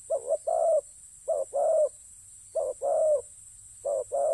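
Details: Cooing spotted dove used for ground decoying: a brisk pair of short notes, then a longer, gently falling croo, repeated four times at about 1.3-second intervals in an otherwise quiet setting.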